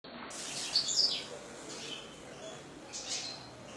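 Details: European goldfinch kept by a breeder, a short high twittering phrase of bright chirps near one second, then a fainter chirp near three seconds, over steady background hiss.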